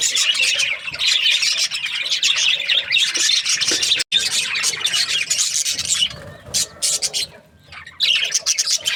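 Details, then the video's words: Budgies chirping in dense, raspy warbling bursts. A short silent gap comes early, then the chatter thins into separate squeaky phrases with pauses before picking up again at the end. "Budgies parrot chirping sounds"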